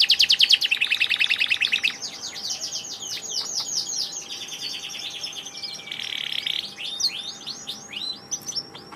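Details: Canary singing a loud quick trill that gives way to softer looping warbles, buzzy rolls and curved whistles, with a faint background hum.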